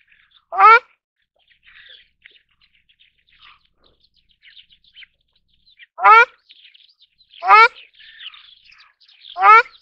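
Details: Four loud, nasal honks from a ruddy shelduck (Tadorna ferruginea): one early, then three in quick succession near the end. Soft twittering of other birds fills the gaps.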